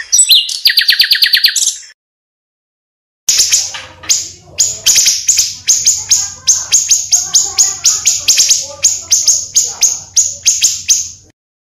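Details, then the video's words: Pancawarna bird calls for luring birds: an opening fast, bright trill, a pause, then sharp, very high chirps repeated irregularly, roughly two to three per second, over faint low hum. "suara burung pancawarna"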